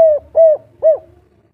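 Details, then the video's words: Three mellow coos from a local spotted dove of the kuk 3 style calling a female, a long falling note followed by two shorter rounded ones, with a faint low rumble beneath. "Derkuku Kuk3 lokal gacor ngamuk memanggil betina langsung birahi"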